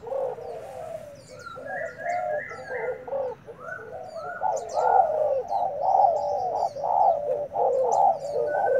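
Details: Untamed decoy spotted dove, newly brought in, fighting: repeated low hoarse cooing phrases, several overlapping, with a few higher slurred notes and faint high chirps of small birds behind.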